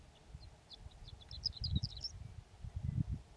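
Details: Horned lark singing on a warm, sunny spring day on Antelope Island: a thin, high tinkling run of quick twittering notes lasting about two seconds, rising toward the end, over strong low wind rumble.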